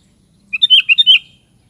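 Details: Sooty-headed bulbul, known locally as kutilang, delivering a short bubbly phrase of about six quick liquid notes, rising and falling, lasting under a second against a quiet background.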